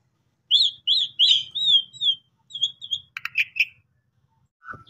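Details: Asian pied starling song used as a lure to prompt sulking or stressed birds to sing: a quick run of bright, slurred whistles, rising and falling, then a burst of harsh, grating notes and a lower closing whistle.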